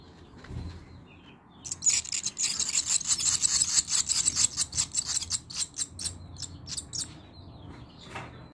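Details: Barn swallow (Hirundo rustica) chicks give a sudden, dense burst of high, scratchy begging chirps, repeated rapidly for about six seconds before fading; finding: Barn swallow.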